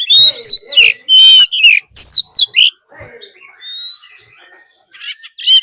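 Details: Decoy Oriental magpie-robin with a wild female calling, a fighting song to rouse birds: a burst of loud, rich whistled notes and twangy slurs, then quieter, thinner rising whistles with gaps.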